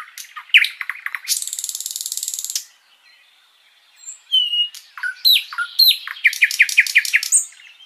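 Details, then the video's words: Sikatan londo flycatcher in sustained song, recorded for teaching other songbirds: fast chip series, a long harsh buzzing rattle, a pause, then varied whistles, downslurred notes and a trilled phrase. "Masteran Burung sikatan Londo gacor panjang"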